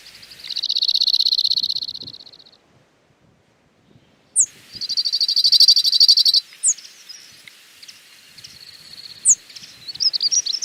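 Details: Cirl Bunting singing to mark its territory: dry, rapid rattling trills of identical notes, each burst about two seconds long, with a few sharp high call notes between them.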